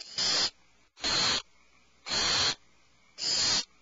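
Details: Inside a nest cavity, owlets give four rough hissing screeches in under four seconds, each burst harsh and breathy, reacting in alarm.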